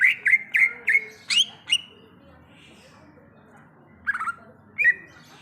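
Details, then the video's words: Wild greater green leafbird giving a quick series of six slurred whistled notes, then a long silence and two more brief whistled phrases. "Suara Asli Cucak Ijo | Suara Alam Cucak Ijo"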